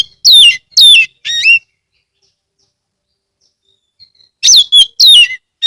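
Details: Oriental magpie-robin from Rejosari, Ambal, Kebumen, Central Java, singing a lure song meant to get other magpie-robins singing: three loud, sweeping whistled phrases with sharp downslurs, a pause of nearly three seconds, then four more quick phrases. The background is quiet.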